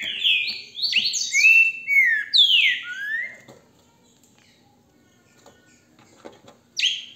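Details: Captive green-winged saltator kept by a registered breeder in Brazil, recorded on a mobile phone: a burst of loud, clear whistled phrases, several sliding down in pitch, for about three seconds, then near silence and one final note.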